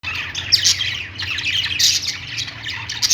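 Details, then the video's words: Pet budgies at play: a dense stream of bright, scratchy chirps and squawks, several birds calling over one another, with a faint steady low hum underneath. "budgies playing sounds | parakeet chirping sounds"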